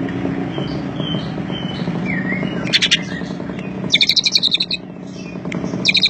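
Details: Greater green leafbird singing an isian Cililin song. Soft whistled notes and a short slurred whistle come first, then a sharp trill and a longer burst of rapid, stuttering high notes over a constant low hum.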